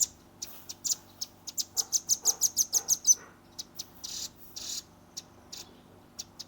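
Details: Juvenile velvet-fronted nuthatch delivering its 'tembakan' shooting song, phone-recorded: a fast run of high, piercing ticks speeding into a tight repeated trill, followed by a few buzzy rasps and spaced single chips.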